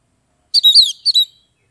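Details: Captive Oriental magpie-robin, or kacer, from Kebumen in Central Java, Indonesia, giving a ngeplong-style song. A single quick phrase of bright, slurred whistles falls then rises, followed by a brief whistled tail.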